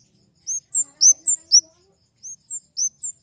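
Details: Kemade flowerpecker song: a burst of five high, thin, hooked notes alternating in pitch, a short pause, then four more similar chirps.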